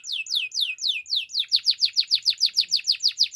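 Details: Belgian canary song at morning time: slow, slurred descending whistles that speed up into a rhythmic series of sharp down-sweeping notes, roughly five per second.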